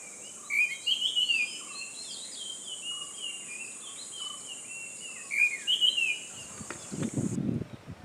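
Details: Morning jungle birdsong: several birds give quick chirping and whistled twitters, two louder bright bursts stand out, and soft low whistles repeat. A constant high insect drone continues until a knocking, rustling noise near the end.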